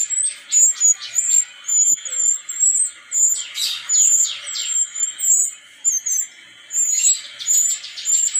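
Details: Brown-chested jungle flycatcher from Bali singing a dense run of high, thin whistled and twittering notes in bursts of about one second, with short pauses between phrases.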